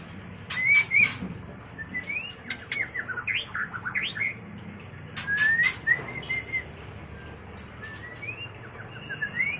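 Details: White-rumped shama mating song for bird training and luring: harsh broadband chatter bursts mixed with rising whistles, dense rapid notes sweeping up and down, and a sustained high whistled phrase near the end.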